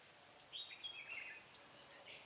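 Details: Red-whiskered bulbul at a trap site, 12 February 2017, where one was caught; a brief, bright warbled phrase of quick slurred notes, followed by a fainter, higher note, against a constant hiss of outdoor noise.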